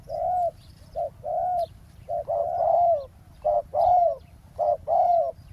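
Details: Spotted dove on the ground beside a road, lured by a decoy during trapping: low hollow cooing phrases, two- and three-note groups of smooth coos, repeated with short gaps, over a faint low hum.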